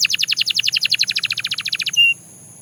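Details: Belgian canary delivering a quick, even trill of about twenty short chirping strokes in two seconds, closing with one brief flat whistle before going quiet.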